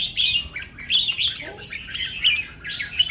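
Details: Morning song of a red-whiskered bulbul in the double and rik styles: quick, bright warbled phrases in fast succession, with a soft lower note slurring in the middle.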